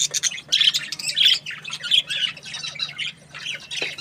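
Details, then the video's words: Happy budgie gives rapid, high chirps in short clustered notes, about one or two a second, with scratchy squawks between them. "Happy budgie chirping sounds"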